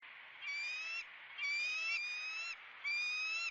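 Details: Eagle raising its young, giving three drawn-out, ringing whistled calls, each slightly rising and lasting about half a second to a second, spaced roughly a second apart against a quiet background.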